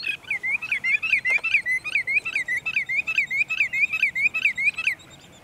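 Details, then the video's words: At sunset in Montezuma, New York, 6 May 2019, a sandpiper delivers an even, unbroken chain of about seventeen rolling whistled notes, each dipping and rising, steady in pace for five seconds before stopping. "Sandpipers Serenade the Sunset"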